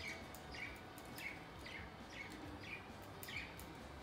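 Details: Pet budgerigars playing with a new set of natural wooden toys, giving short chirps repeated roughly every half second over a steady hum of background noise.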